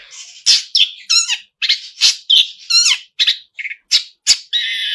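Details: Vigorously singing long-tailed shrike, called pentet, delivering a song rich in imitated phrases. Buzzy, rasping bursts and squeaky, down-slurred notes come in quick succession, ending in a long, steady buzz.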